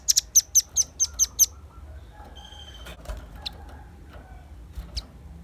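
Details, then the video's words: Velvet-fronted nuthatch singing energetically, recorded for luring and master tutoring: seven rapid, thin, very high chip notes at the opening. Quieter scattered clicks and faint chirps follow. "Suara kicau pancingan burung rambatan paruh merah gacor"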